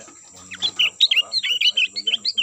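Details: Sooty-headed bulbul call used as a lure to attract birds: a quick run of about a dozen bright, clipped chirping notes, rising then falling, at roughly five per second, with faint low voices early on.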